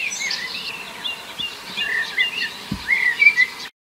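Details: A common blackbird in a garden near Arras, France, in summer, usually heard at dawn or evening perched on a wire or rooftop, sings a varied, harmonious run of clear, whistled phrases rising and falling in quick succession.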